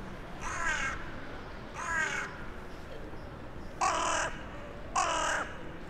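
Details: Crow from a town centre communicating with others flying in for the night, evening of 23 January 2021; four rough caws, a pair of softer ones followed by two louder, roughly one to two seconds apart, over low background noise.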